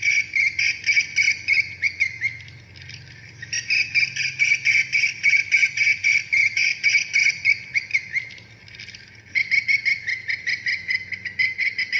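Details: Swiftlet chasing-call lure, an edited playback meant to set the birds chasing their mates: rapid rhythmic chittering chirps in long runs, briefly softening twice before resuming, over a faint low hum.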